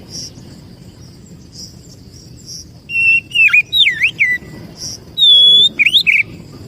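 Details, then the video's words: Oriental magpie-robin (kacer) lure song used to attract birds: loud whistled phrases with swooping up-and-down notes and a long steady high whistle, after a quiet start with soft faint chirps in the background. "suara burung Kacer...kicau pikat terbaik...||suara pikat Kacer ||pancingan kacer"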